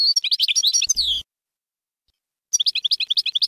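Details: Goldfinch of the European kind singing the Bainam Ghazarat style to tutor young birds; quick jumbled high twittering ending in a falling slur, a silence, then another rapid twittering phrase.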